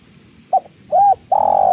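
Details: Spotted dove calling with water in the background. A quick soft note, a rounded arched coo, then a long level coo beginning to slide downward, cut off at the end.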